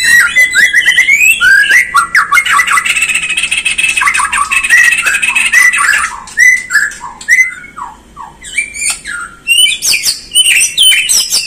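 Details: Bornean white-rumped shama singing on a lure recording for provoking birds into song and agitation: rich, dense medley of whistles and chatter, then separate short whistled phrases, each slurring downward, with clicks between.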